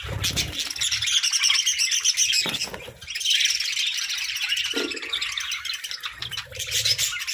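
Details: Cheerful budgerigars chirp and warble in a steady, many-voiced chatter. Quick scratchy notes tumble over each other, with a brief dip in the middle and low knocking sounds at the start and end.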